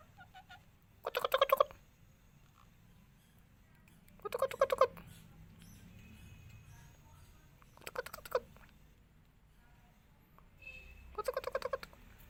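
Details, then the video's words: Green parrot in India, said to be talking in Hindi: four short, harsh, buzzy bursts about three seconds apart, each under a second long, over quiet background hiss with faint low rumble. "India Parrots sounds green parrots talking miya Mithu Hindi"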